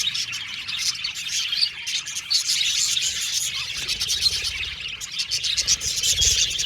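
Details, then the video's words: A happy budgerigar colony in an aviary fills the air with steady, overlapping high chirps, scratchy warbling and quick tweets, pulsing in loudness but never stopping. "Happy Budgies Chirping Sound"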